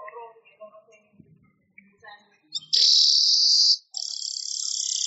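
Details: Weaver (manyar) song used as a master recording for training songbirds. Soft, scattered chattering notes give way to a loud, sustained buzzy sizzle, briefly broken, then resuming as a rapid, rasping pulsed buzz.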